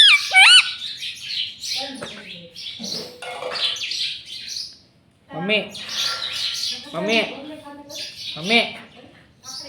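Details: Caged green parrot kept as a pet, mimicking the word "mummy" over and over: bright chirps and curved harmonic squawks in uneven bursts, broken by a short silence near the middle.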